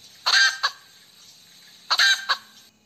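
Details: Two harsh drawn-out squawks from a hen, each followed by a short clipped cluck, separated by a quiet gap of over a second.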